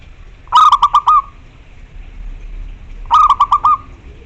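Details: Local zebra dove, strong-voiced and persistent, calling a rival: two stuttered phrases about two and a half seconds apart, each a rapid run of low, even-pitched coos ending in a longer trailing note; quiet hiss between.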